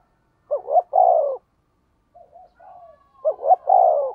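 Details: Decoy spotted dove cooing in the 'thúc gù' manner with a low 'thổ' voice: two loud phrases, each a hooked double note and a sustained downslurred coo, separated by quiet gurgling notes.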